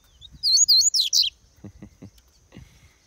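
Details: Caged male Double-collared Seedeater (papa-capim) singing in breeding season: a brief burst of high, sharp, slurred chirps, four quick phrases within under a second, followed by quiet low clicks and background handling noise.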